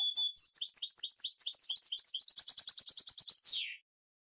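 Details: Captive goldfinch mule, recently moulted, singing a fast high twittering run of repeated chirps that accelerates into a dense trill and ends with a falling slurred note.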